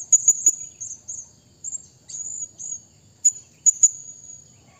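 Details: Blue-crowned hanging parrot calling to a rival, giving sharp, very high-pitched squeaks and thin drawn-out trills, separated by short pauses.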